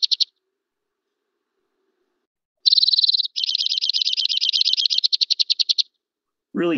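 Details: White-winged Crossbill song, much more powerful than the Red Crossbill's: a loud, high, rapid trill of buzzy notes held for several seconds after a brief opening burst, ending with a short low sound.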